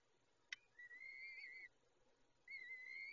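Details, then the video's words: Peregrine falcon at feeding, with a sharp click followed by a long whining whistle that rises slightly and falls at the end. A second similar whistle begins, set against faint hum. "Sokoły - Lola karmi"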